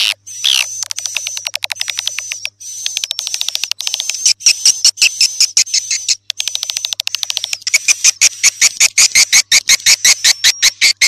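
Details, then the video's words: Swiftlet call played to draw in swiftlets: rapid, evenly spaced ticking chirps, about two to three a second, over a steady high whistling tone, with the pulses growing sharper and more separated toward the end. "Suara Burung Walet"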